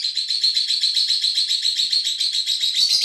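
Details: Lovebirds interacting with each other, giving a fast, even run of harsh chirps, nearly four per second, sustained for three seconds and rising slightly in pitch at the end.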